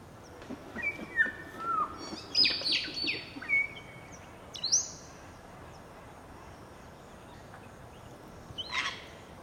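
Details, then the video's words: Grey Parrot of the nominate subspecies Psittacus erithacus erithacus at Entebbe, Uganda, in January 2025: a burst of varied whistled notes and harsh squawks over about five seconds, some sliding down and others rising sharply, then quiet before one short harsh note near the end. "Perroquet jaco (Psittacus e. erithacus) Grey Parrot"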